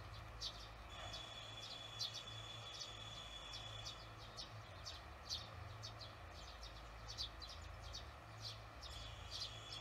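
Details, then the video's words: Barn swallows on a June 18, 2020 evening, observed after work; faint, short high chirps scattered irregularly over a steady high electrical whine and low rumbling hum. "저녁시간 제비"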